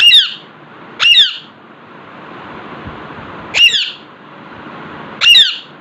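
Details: Four loud, harsh, high squawks from a talking Alexandrine parakeet sitting in front of a mirror, spaced one to two and a half seconds apart, with quiet indoor room hiss between them.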